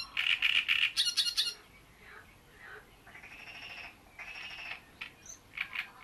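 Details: Great reed warbler singing at Bohdanečský rybník pond: a burst of harsh, rapid, croaking notes, then a pause followed by separate grating phrases and short chirps.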